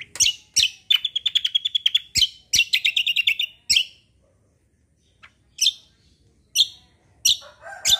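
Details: Bulbul song in the kombo roll tembak style: sharp chirps leading into fast, buzzing rattled trills, then a gap and a few more loud, abrupt high notes.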